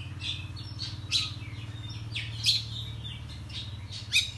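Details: Oriental magpie-robin singing in the morning, an agitated, excited bird with tail spread, used as a lure to rile other magpie-robins: harsh, scratchy bursts mixed with short high whistles, about one strong note every second, over a steady low hum.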